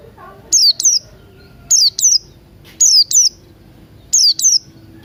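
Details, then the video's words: Buxton's white-eye singing in the morning in the wild ngalas style: short, very high, sharp notes that slide downward, mostly in quick pairs, repeated about once a second over a faint low hum. "Pleci Buxtoni Ngalas Pagi Hari"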